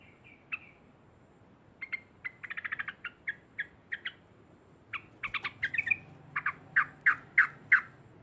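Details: Sooty-headed bulbul cackling loudly to provoke rivals, with clipped notes in irregular bursts, including a quick stuttering run and a final series of stronger, evenly spaced notes, over steady background hiss.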